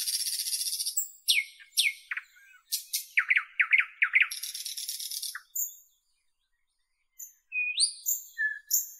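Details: Nightingale from northern Europe delivering varied phrases: a harsh high buzz, sweeping whistled slurs, then a fast series of repeated rich notes, a short pause, and fresh sliding whistles.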